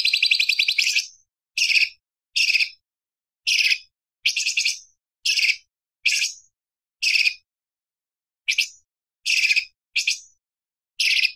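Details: Light-vented bulbul (cucak cungkok) in a varied, sharp song style used to tutor other songbirds: an opening fast trill, then short chirped phrases repeated roughly every second.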